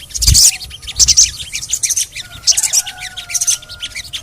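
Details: Sogon (little spiderhunter) calling in a lure recording: sharp, high chirps in quick irregular bursts, with a thin sustained whistle running through the second half.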